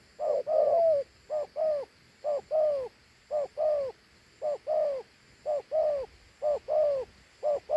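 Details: Large, fine-looking dove gives its praised two-note coo. Each phrase is a clipped note followed by a drawn-out, downward-sliding coo, repeated steadily almost every second with no other voices.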